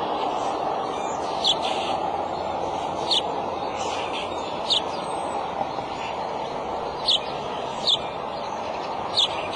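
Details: Male bald eagle at its nest with eggs on March 23, early afternoon, giving sharp high chips, single or in quick pairs at uneven intervals, over a constant broadband rumble.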